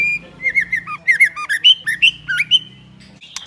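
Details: Female white-rumped shama used to stimulate males: continuous varied whistling, mixing steady tones with down-dipping and up-flicking slurred notes in quick succession, over a low background hum.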